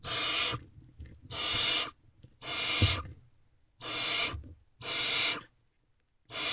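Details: At night in a barn owl nest box, 12 May 2023, the male brings food and the owlets crowd to be first; steady rasping hisses repeat about once a second, with faint scrapes between them.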